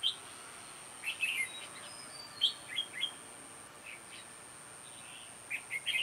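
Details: Red-whiskered bulbul during trapping, with a sharp, lively giọng đanh lăng xăng voice: repeated short chirpy warbles and clear whistled notes scattered through, some louder, some distant.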